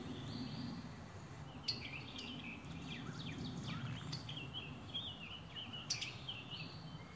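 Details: Summer tanager in Alabama singing a run of slurred, sweeping whistled phrases that rise and fall. Some phrases blend into one another. A high steady whine and low rumble are heard behind them.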